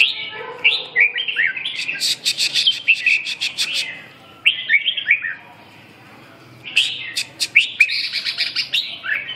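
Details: Red-whiskered bulbul singing short, rich whistled phrases that warble and slur up and down. Bursts of sharp clicks are mixed in, and a quiet pause falls midway before the bird resumes its lively phrases.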